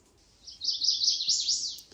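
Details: Two Chestnut-sided Warblers (Setophaga pensylvanica), one on each side of a trail through mountain laurel at Ricketts Glen State Park, Pennsylvania, in June 2023, sing back and forth in quick, high runs of sweet chips and slurred notes.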